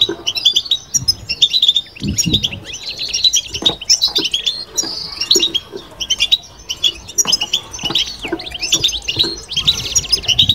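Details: Extended European goldfinch bitbita song, a continuous high chatter of rapid chirps, liquid twitters and short trills, with a brief buzzy passage near the close and low background thumps.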